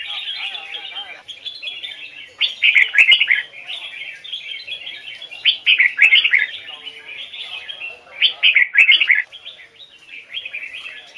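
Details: Red-whiskered bulbul in the Hoài Sơn forest double-note singing style, recorded for training birds: three loud clusters of rich, quick warbled notes, spaced several seconds apart, rise above continuous thin background chirping and a few sharp clicks.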